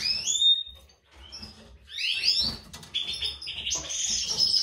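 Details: European goldfinch from a breeding pair of white-throated mutation male and classic female: thin descending whistle, then liquid twittering rising into a buzzy, sustained high trill.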